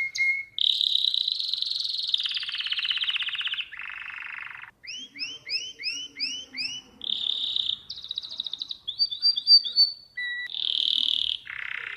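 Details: Song of a domestic canary, used to teach young birds: long rolling trills that drop in pitch, a row of repeated upswept whistles, chattering pulsed notes, then more sustained fast trills switching between high and lower tours.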